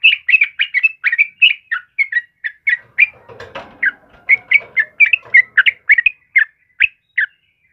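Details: Chattering yellow-vented bulbul song meant for training caged birds: rapid short whistled notes in a lively string, briefly broken midway by a soft rustling noise, then resuming with clear chirps.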